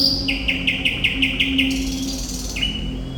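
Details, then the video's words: Thrush nightingale delivering a fast run of about eight identical sharp, loud notes in under two seconds, then a held whistle and a final clipped note, with a faint low hum. "Sikatan Londo Thrush Nightingale Gacor"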